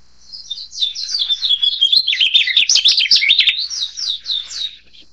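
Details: Narcissus flycatcher in a rapid stream of high chirps and whistles: a soft start, then a loud jumbled burst of twittering notes swinging up and down in pitch, fading into lighter chirps at the end.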